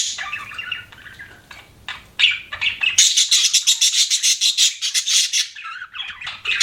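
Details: Budgie chatter, softer and rougher at first, then a loud run of quick, evenly spaced scratchy chirps about three per second, ending in warbled twittering.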